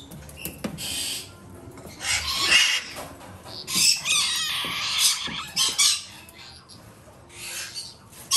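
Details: A hand-fed galah chick, female, bred in Japan, makes rough, wheezy begging bursts of one to two seconds, separated by quieter gaps with small clicks and handling noises.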